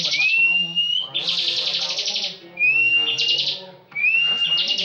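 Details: Caged bar-winged prinia that often wins national contests. Upslurred whistles are each followed by dense buzzy trills, repeated three times in quick succession, with a soft low hum underneath.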